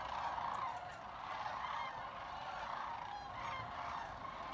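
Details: Sandhill cranes at Jasper-Pulaski Fish and Wildlife Area trilling and chatting: many overlapping rolling, rattling calls merge into a steady crowd-like murmur, with a few higher clearer notes rising above the dense chorus.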